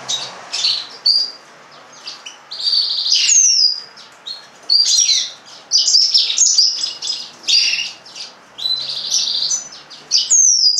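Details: Yellow-fronted canary (Serinus mozambicus, the green singer) singing in bursts: rapid high chirps, trills and sweeping whistles in phrases of one to two seconds separated by short pauses.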